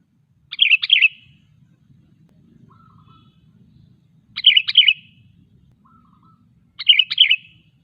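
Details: Sooty-headed bulbul song used as a tutor or lure for other bulbuls: three loud, bubbling phrases of a few rolling notes, each about three seconds apart, with faint low rumble and soft short notes in between.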